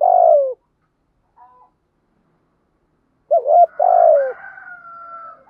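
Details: Spotted dove decoy used to attract other doves: a falling throaty coo, a pause, then a hooked two-part coo followed by a long thin whistled background note and soft chatter.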